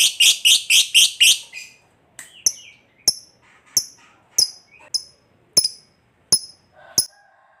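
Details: Lovebird in long trilling song used to coax other lovebirds to sing: a fast run of harsh, buzzy pulses, then thin, sharp high chips spaced about every second.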